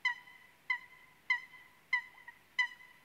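A Eurasian Coot gives five loud, nasal, trumpet-like notes, one roughly every two-thirds of a second, against a quiet background.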